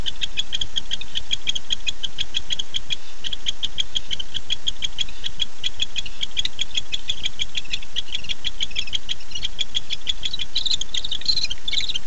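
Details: A male barn owl calls for his mate at night, 9-8-15, recorded by nest camera: quick high clicking series that grows rougher and breaks into harsher raspy bursts toward the end, low hum beneath.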